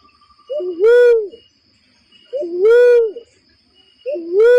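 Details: Barred cuckoo-dove calling, recorded as a trapping lure: repeated two-part coos roughly every two seconds, a low quick upward note running into a long, loud, resonant hoot, with a faint steady high tone behind.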